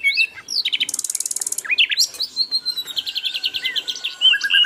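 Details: A chatty Asian brown flycatcher on a training recording: a buzzy high rattle, then twisting whistles, a quick trilled series and a few soft upslurred notes, very varied and close.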